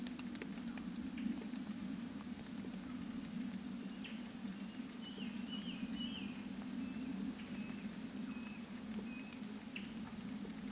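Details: Male palm cockatoo tapping at its nest hollow while the female shreds nearby: scattered sharp, dry knocks at an irregular pace over a steady low hum, with brief series of high chirps from other birds.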